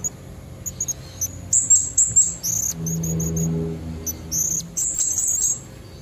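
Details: Wild female Blue-crowned hanging parrot calling to draw in red-necked males: rapid, irregular runs of piercing high chips and short trills, with a low humming murmur in the background midway.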